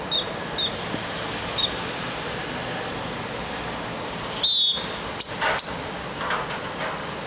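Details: A strutting grackle gives scattered high squeaky notes, a drawn-out metallic whistle and two sharp upward squeals over a steady hiss of background noise.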